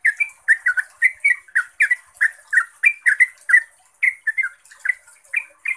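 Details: Energetic 'ropel' song of a yellow-vented bulbul, played to provoke other trucuk to reply: a continuous string of gurgling, slurred notes, rising and falling rapidly, with brief breaks, over a constant thin hiss.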